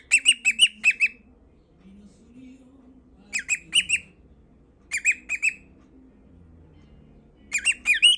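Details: Cockatiel singing for love, in bursts of sharp, harmonic-rich chirps and squawks repeated every couple of seconds.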